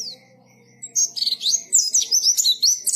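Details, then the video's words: White-eye (pleci) singing actively in the ngalas style: a rapid, loud tumble of high, sharp chirps and twittering notes, bursting in after a near-silent first second over a faint low hum. "KICAUAN BURUNG PLECI GACOR NGALAS"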